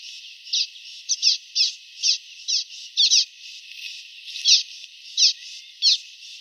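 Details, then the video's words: Common waxbill song in a clean recording: spaced buzzy high notes, some doubled, roughly every half second with uneven gaps, and nothing else audible. "Som limpo do canto🎵 do Bico de Lacre"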